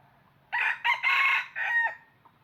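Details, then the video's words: A decoy red junglefowl, used to attract wild birds into traps, crows once loudly: rasping opening burst, clipped second syllable, drawn-out middle and a fading final note, followed by a faint short sound afterward. "Tiếng Gà Rừng Mồi Gáy Cực Hay"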